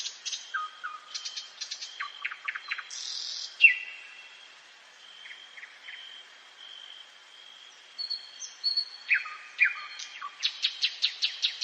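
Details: Common nightingale at night in the forest, delivering varied phrases of clipped chirps and short whistles separated by a quiet pause, then a rhythmic run of repeated notes, a steady high-pitched hum running throughout.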